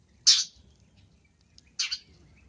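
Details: Long-tailed shrike luring sound: two short, harsh, scratchy notes, well apart, with near silence between them.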